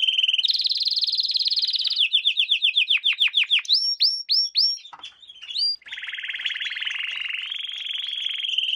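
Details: Canary lesson song for young canaries: a buzzy trill shifting up in pitch, then a string of falling whistles, rising swoops, a short pause and a long, fast, rolling trill.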